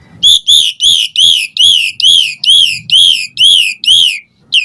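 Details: Asian pied starling in vocal song with fill-in phrases, played as a lure to make other starlings reply: about ten arched whistled notes repeated roughly every half second, then a brief pause and one more note.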